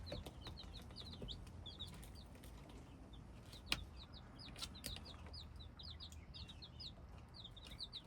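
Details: Hybrid chicks peep in a lively flurry of short, high, falling notes, with occasional sharp clicks and a faint low background noise.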